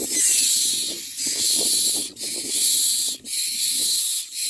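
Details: Common myna chicks fed at their nest; loud, sustained, steam-like hissing bursts, about a second each, with brief breaks and faint rustling below.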